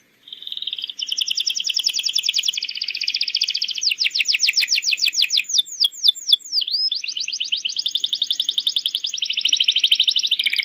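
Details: Canary lure song used to teach young birds to sing: long continuous rapid trills, shifting in speed, with a burst of steep downward sweeps in the middle, clear and uninterrupted.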